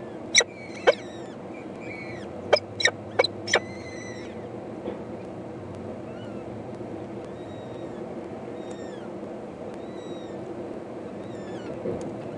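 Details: Hungry peregrine falcon eyasses, four chicks begging from their mother at feeding, 14 May 2012: a cluster of loud, harsh grating screeches in the first few seconds, then quieter thin whistled notes of other birds over steady background hiss.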